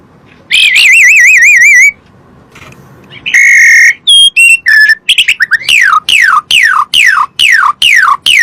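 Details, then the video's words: Asian pied starling song played to make kept birds answer: a long warbling wavering whistle, a loud harsh buzzy note, sharp chips, then a series of descending slurred whistles repeated about twice per second. "PANCINGAN SUARA BURUNG JALAK SUREN"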